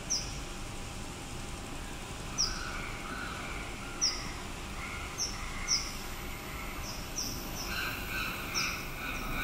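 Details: A female Ornate Sunbird building a nest at a school in Yangon, Myanmar: sharp, high chipping notes singly or in quick pairs every second or two, with lower, harsher calls from another bird through steady background hiss.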